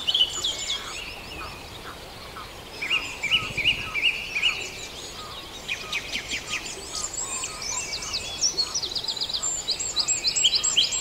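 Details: Dawn chorus recorded at Farndale: a dense, layered mix of high songbird phrases, trills and short repeated notes from many birds. The singing thickens over time, ending with sharp, fast chips over a faint rural hiss.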